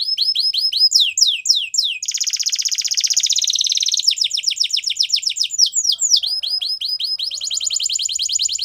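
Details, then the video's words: Belgian canary song built from rapid falling sweeps, then a rich buzzy rolling trill lasting about two seconds, then more fast repeated notes and a high closing trill. "Melodies Canary Bird Song | Belgian Canary Singing"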